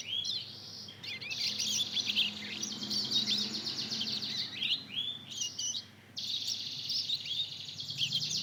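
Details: Learning subsong from a two-month-old Mozambique canary–canary cross: continuous, dense high-pitched twittering and buzzy trills with short pauses between phrases, over steady faint background noise.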